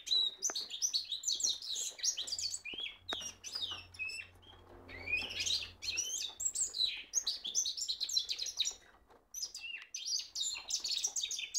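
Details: Kept cock goldfinch mule in full song, pouring out fast twittered and trilled phrases mixed with sharp chirps, with brief lulls between bursts; a faint low hum runs underneath.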